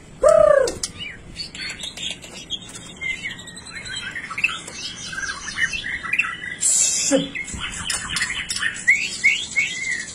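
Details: Piebald (blorok) white-rumped shama in full, continuous 'nembak' song. It opens with a loud, low, down-slurred whistle, then runs into a dense medley of quick chirps, buzzy upward sweeps and high rattling notes, with another deep note near seven seconds.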